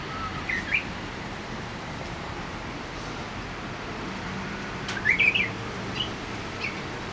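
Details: Japanese bush warbler singing for the first time that year, 15 March 2014, hidden in a tall loquat tree near a home: a faint brief note early, then a louder tumbling phrase of quick whistled notes, with steady background noise.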